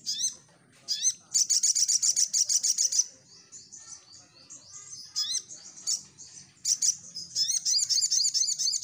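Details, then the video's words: Vigorous crimson sunbird song meant to make birds respond. Long fast trills of very high, pulsing notes are mixed with upward-sweeping whistles, and a quieter twittering passage falls in the middle. "Burung Sogon Gacor"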